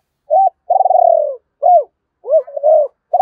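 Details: Spotted dove with a voice described as fine and suited to stirring decoy birds. A quick coo leads into a long, pulsing, downward-sliding coo, followed by several short arched coos at an even mid pitch. Clean background.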